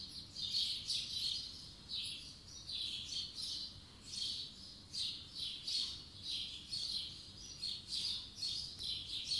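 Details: Birds singing on a spring morning in 2020: high chirping phrases repeated irregularly from several birds, fairly distant, with a soft steady background hiss.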